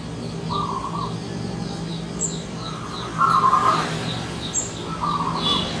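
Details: Wild zebra dove visiting, with three short, rolling, trilled coo phrases spaced a couple of seconds apart, partly masked by steady background noise and faint high bird chirps.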